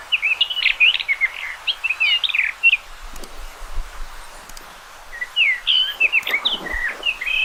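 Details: A common rock thrush delivers two rapid, fluty warbled phrases of many varied notes, with a short pause and a few faint clicks between them.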